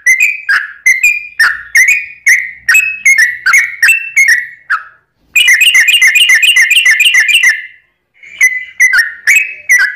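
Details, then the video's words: Sooty-headed bulbul singing a lively long-rolling song meant to provoke other bulbuls into answering: a run of bright falling whistles about two per second, then a rapid rattling flurry of notes, a short gap, and more whistled phrases. "trucukan gacor ROPEL PANJANG pancingan trucukan agar bunyi"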